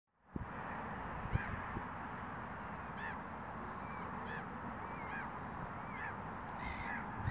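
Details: Great crested grebe (Podiceps cristatus) in Estonia gives harsh, rasping calls about once every second or two against steady low rumbling wind or water noise.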